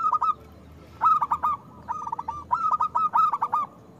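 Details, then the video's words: Local zebra dove, a frequent singer with a big voice, heard as a lure for quiet doves: a brief coo, then a long, rhythmic run of clipped, rolling coo notes. "Perkutut lokal gacor Suara Besar"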